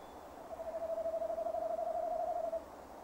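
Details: One long, evenly pitched hoot with a rapid trembling pulse, given by a male tawny owl calling near the nest box on a December evening around 17:10, 2015.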